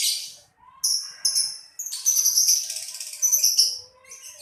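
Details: Lovebird giving piercing, high chirps and squeaky whistled notes in uneven clusters, with a dense, continuous chatter in the middle and a brief quiet gap near the start.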